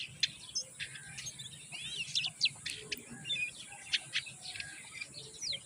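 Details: Common myna chicks being fed moringa by their mother, giving high, sharp chirps and short whistled and buzzy notes at an irregular pace, with a faint steady hiss behind them.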